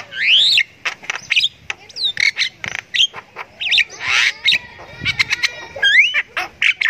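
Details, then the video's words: Captive Javan myna, once prone to somersaulting and now singing freely after regular care, giving a busy, varied string of loud whistles, sharp clicks, swooping notes and a harsh rasping squawk, with short pauses between bursts. "Burung Jalak Kebo Gacor"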